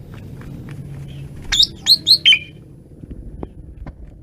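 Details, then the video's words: Asian pied starling singing intensely: a brief burst of four loud, high whistled notes, the last sliding downward, over a steady low rumble of background noise. "jalak suren menggila"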